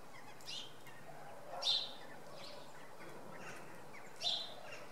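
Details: Common redpolls calling on a Sunday morning at Oksywie: several brief, high, sharp chips spaced irregularly, two standing out louder, over constant low outdoor noise.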